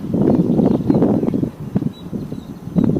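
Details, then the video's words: King Rails in marsh at Shoveler Pond, Anahuac NWR, Texas, on a windy morning, calling back and forth across a road: low, grunting clattering notes in quick uneven bursts, about four per second, over a rumble like an idling vehicle. "That was a king rail making that noise."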